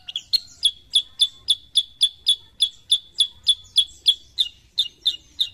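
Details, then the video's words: Sooty-headed bulbul (kutilang sutra) from Indonesia repeating loud, crisp chirping notes at a fast, fairly even pace, about three to four per second, each note sharp and ringing with little else audible. "KICAUAN BURUNG KUTILANG SUTRA"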